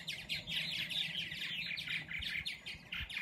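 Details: Dozens of purple martins feeding and nesting in a back-yard open area near Lake Balboa chatter in a steady stream of liquid, chirping notes, several birds overlapping quickly, over a faint low hum.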